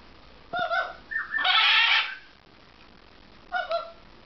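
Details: Blue-and-yellow macaw imitating a dog's bark: two short, hoarse, bark-like bursts at the start and end, with a longer harsh, rasping squawk between them, indoors.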